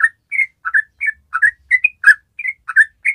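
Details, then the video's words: Loud, close Yellow-vented bulbul: bubbly two-part liquid notes repeated about three per second in a clean 'gacor' song phrase, with little background sound. "ORIGINAL SOUND YELLOW VENTED BULBUL"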